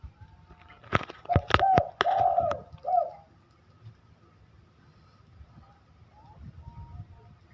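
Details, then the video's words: Spotted dove in full song gives one short cooing phrase with a long purred middle note, overlapped by several loud sharp knocks, then a stretch of near quiet with faint distant chirps. "deruk gacoran"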